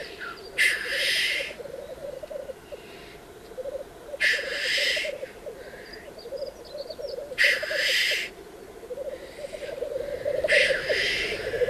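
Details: Black grouse at a courtship and mating lek, where females arrive in darkness before sunrise, keep up continuous low, bubbling rookooing broken about every three seconds by loud hissing 'tchu-whee' sneezes.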